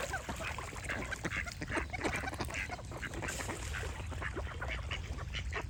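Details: A crowd of ducks quacks nonstop in short, nasal pulses, backed by chirping birds and a noticeable low-frequency rumble.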